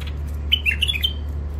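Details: Wild-caught songbird in its first isolation, taken near the Mandali crossing in Iraq, sings a short run of clear whistled notes that step up and down over about half a second, against a steady low hum.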